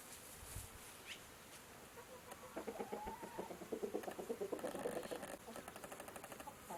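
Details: Chickens walking about, giving soft, rapid clucks in a quick run of short repeated notes through the middle of the recording, over steady background hiss.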